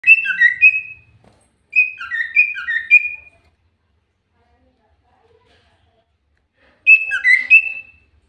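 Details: Common iora used as a lure recording, singing energetically: three bursts of quick, bright whistled notes, each burst about a second long, stepping up and down in pitch, separated by silent pauses.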